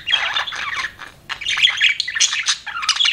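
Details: Budgie parrot kept as a pet, giving rapid scratchy chatter in three short bursts, mixing squawky notes, clicks and high chirps.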